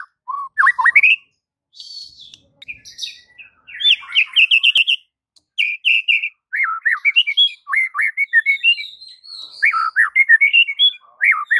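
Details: Varied white-rumped shama song played as a masteran for mute shamas: restless mix of rising whistles, buzzy trills and sharp chirps, nearly continuous, with brief pauses between rapid phrases.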